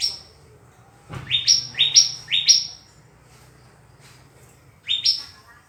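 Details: Song of a yellow-vented bulbul, used to lure and provoke a rival: a fast run of four clear upward-sweeping notes, a pause, then two more rising notes, against a quiet background with one dull thump.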